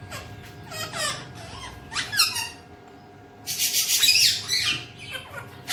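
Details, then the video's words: Alexandrine parakeet at home producing squeaky descending chatter, then a burst of loud, noisy, hissing squawks, ending with a faint squeak. "Alexandrine talking parrot"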